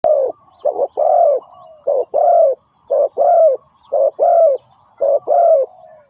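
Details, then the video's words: Spotted dove call used as a lure for trapping birds: low, hollow coos in pairs, a short stuttering note then a longer drawn-out one that falls at the end, repeated about once a second, with a faint high whine behind. "The Sound Of Spotted Dove is good,Bẫy cu gáy bằng mồi trồn,เสียงนกเขาใหญ่,Suara Terkukur Pikat Tua 2"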